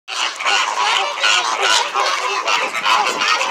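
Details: Captive flamingos at SeaWorld, a loud and friendly group, give a dense chorus of overlapping nasal, goose-like honks that run on without pause.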